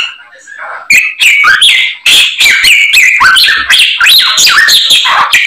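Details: Fill-in phrases from a white-rumped shama: soft faint notes at first, then loud clipped whistles and downslurred notes repeated roughly three times a second.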